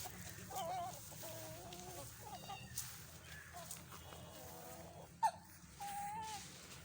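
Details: Newly bought young hens, said to be laying eggs, give soft, wavering clucks and a few short mid-pitched notes, ending in a longer drawn-out call, over a steady background hum with one sharp knock.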